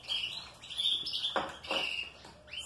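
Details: Canaries in a breeding room during a season of pairing for chicks: bright whistled phrases around a steady high tone, with brief sliding notes and short rattling bursts, sung over a quiet room hum.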